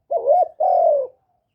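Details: Spotted dove kept as a decoy bird, cooing to excite other caged doves; one soft rising-falling note followed by a longer level coo that tapers down, then silence.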